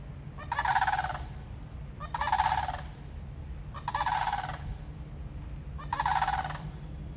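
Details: Rattling, bugling calls of Florida sandhill cranes, four strong rolling bursts about two seconds apart, each lasting near a second, set against a low continuous background hum.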